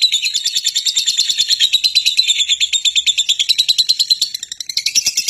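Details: Lovebird calling in a rapid, harsh, high-pitched chatter, pulses tumbling out several per second, with a slight lull near the end before the shrill notes pick up again.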